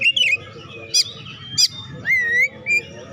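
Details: Oriental magpie-robin vocalising to stimulate reluctant singers: a descending whistle, two sharp harsh bursts, then a long rising whistled slur and a short flat note, hum in background.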